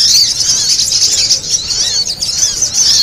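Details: Spiderhunter lure recording, a busy, noisy type meant to draw birds in: dense, overlapping high, thin chirps and sharp squeaky notes chatter without pause, some rising and falling swiftly, like an excited crowd of small birds.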